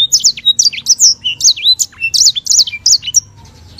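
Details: Master recording of a sanger (white-rumped seedeater, from Africa) singing vigorously with long rolls: energetic high twittered phrases of down-slurred notes and short trills for about three seconds before falling quiet.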